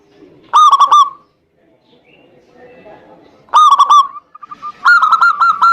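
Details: Zebra dove lure to coax a lazy bird into song: three separate quick bursts of sharp, ringing coo notes, the last a longer steady run, with faint soft background noise between.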